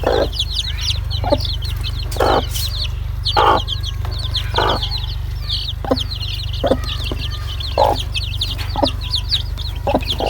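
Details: Many domestic chicks calling: rapid high falling peeps pour out nonstop, broken by rough lower bursts roughly once a second, over a constant deep hum.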